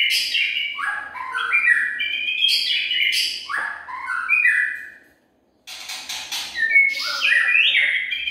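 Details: White-rumped shama lure song (murai batu pikat) from 2021: rich, rapid phrases of descending whistled sweeps, sharp chips and buzzy trills, loud and continuous, with a short silent break just past the middle before the song resumes.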